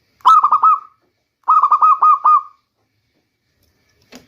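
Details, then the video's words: Rainy-season lure song of a local zebra dove. Two rolling phrases of rapid stuttered coos, the second longer with about six notes, each trailing into a sustained final tone, then a faint click. "Bunyi perkutut lokal terbaik untuk pancingan di musim hujan"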